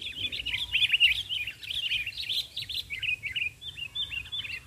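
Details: Sooty-headed bulbul singing vigorously while on the ground; continuous rollicking stream of quick, bouncing notes that softens slightly toward the end, with low background rumble.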